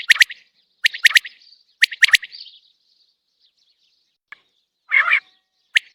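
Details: Single common quail calling outside a cage: sharp, clipped three-note phrases repeated about once a second, then a pause broken by a short rough burst and another three-note phrase at the end.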